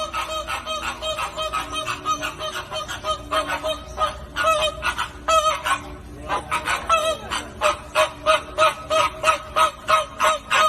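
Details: Flamingo flock honking steadily. Rapid nasal, goose-like notes come about three per second and overlap as many birds call. A brief lull falls midway, then the honking resumes more evenly.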